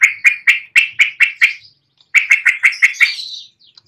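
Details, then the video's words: Greater green leafbird on its perch stand giving two bursts of loud, evenly spaced sharp chirps, about five per second, ending with a thin high twitter. "Cucak Ijo Gacor Nagen (nyawan di tangkringan)"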